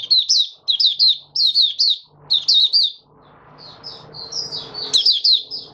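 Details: Caged oriental white-eye in song: sharp, high, chirping phrases in quick clusters of two or three notes, a short pause, then softer warbled notes over a low hiss.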